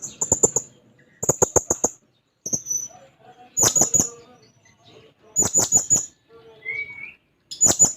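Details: Blue-crowned hanging parrot singing while seeking a rival: very high, thin shrill notes delivered in quick bursts of three to five with pauses between, plus one short rising whistle.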